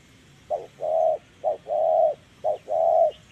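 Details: Clean 'giọng thổ' cooing of a spotted dove caught with a decoy. Three phrases, each a short coo followed by a longer, mellow, level coo, come about once a second against a quiet background.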